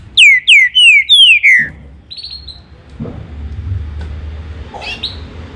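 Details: Green-winged saltator song: five bright, ringing whistles in rapid series, each note gliding down in pitch, followed by faint chirps and low background noise.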